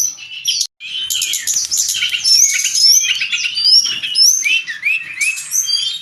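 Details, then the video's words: Brown-chested jungle flycatcher in full gacor song for training cage birds: after a brief gap, a packed stream of high whistled upslurs, twitters and chattering notes, about two a second, continuing throughout. "Suara burung sikatan rimba"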